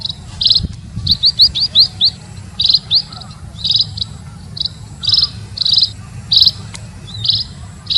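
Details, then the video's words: Munia calls for luring birds: a quick run of five rising chirps, then evenly spaced high chirps, all over a steady low droning hum. "Suar pikat burung EMPRIT ampuh"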